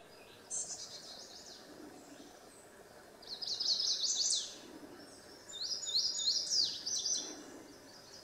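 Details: Chestnut-sided warbler singing at Cross Mountain, Campbell County, Tennessee, on 10 June 2017: high, sweet whistled phrases ending in an emphatic down-slurred note, repeated several seconds apart over a faint steady hiss.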